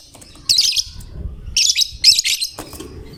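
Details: Fighter lovebird in steady song, said to prompt other lovebirds to sing along; three loud, piercing chattering bursts, each a rapid, high-pitched twitter lasting a fraction of a second, separated by brief pauses, with faint low rumble beneath.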